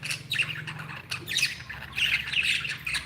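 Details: Happy pet budgerigars chatter with raspy squawks and bright chirps from several birds over a low humming background.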